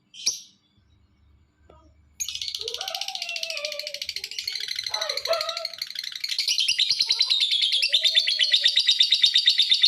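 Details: Lovebird recorded as a lure to get other lovebirds calling: after two quiet seconds, a sudden continuous shrill chatter of rapid buzzy pulses, about three per second, that grows louder toward the end, with a few faint lower notes underneath.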